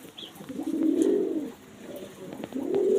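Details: Kept domestic pigeon cooing indoors: a long, low, rolling coo that rises and falls, a brief pause, then another coo begins, with faint clicks behind.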